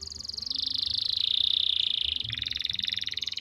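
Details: Canary song from Pati, Central Java, Indonesia, used as a master recording to train stalled or young canaries to sing: a long, fast, buzzy trill held at high pitch, dipping slightly midway then continuing, with low background rumble.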